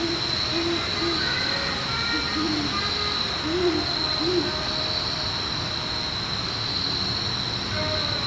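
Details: Territorial hooting of a great horned owl pair in Forest Park, St Louis: a few low, muffled hoots in a loose cluster mid-clip, with steady insect buzz and faint higher bird notes.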